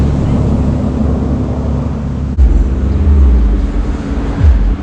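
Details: A steady, low engine rumble from a vehicle fills the whole recording, with a louder deep drone after a brief break midway and no animal voice.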